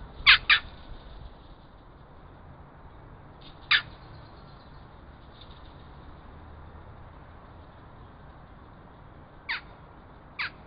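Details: Western jackdaw on a limestone rock ledge in the Vercors foothills near Grenoble, Isère, France, April 2014, caught on a trail camera with road traffic below, gives sharp, high, clipped 'tchack' calls, a quick double then singles several seconds apart.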